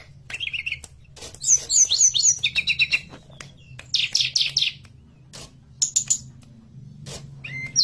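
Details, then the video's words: Mountain forktail song used as a master recording to train songbirds: bursts of high buzzy chattering notes and sharp whistled phrases between pauses, over a steady low hum and frequent clicking ticks. "PANCINGAN MASTERAN TLEDEKAN GUNUNG GACOR"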